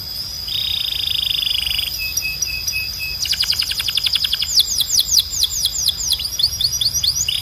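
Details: Belgian canary, strong clean song for training: a steady buzzy trill, a few soft whistles, then a rapid rattling roll that breaks into fast falling sweeps and ends with a short buzz.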